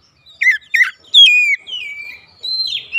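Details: Oriental magpie-robin song meant to stir up rival magpie-robins: two short dropping chirps, then a loud whistle gliding down and a long steady tone, closing with a softer rising note.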